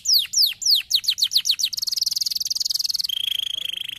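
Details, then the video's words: Canary song for stimulating silent canaries to sing, with several falling whistled notes, a quickening series of chirps, then a fast pulsing trill and a steady thin whistle at the end. "canarios silenciosos sonaron de inmediato para escuchar el sonido de estos canarios"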